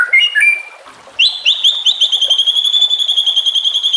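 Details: White-rumped shama on a training recording for other shamas, with nature and water sounds: a few bright slurred whistles, then a long, fast, even trill of high piercing notes, about four per second.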